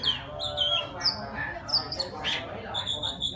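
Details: Wild Oriental magpie-robin singing to call a female: sharp whistled notes near the top of its range, some sliding downward, mixed with harsh scratchy squawks and a steady low hum underneath.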